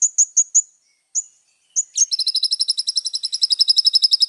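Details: Little spiderhunter singing a full, varied song: a few spaced sharp high notes with pauses, then a long, steady, rapid trill of thin doubled chips.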